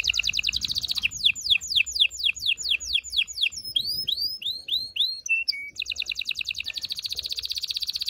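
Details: Powerful canary song for mating stimulation: fast rolling trill, then a series of quick downward sweeps, looping upward slurs, a short flat whistle, and a closing rapid trill.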